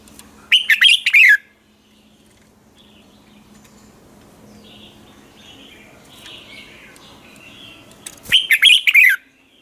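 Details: Red-whiskered bulbul singing a lure song in the morning to spur other bulbuls: two loud, quick warbled phrases of stacked chirping notes ending in a downward slur, separated by about seven seconds of quiet.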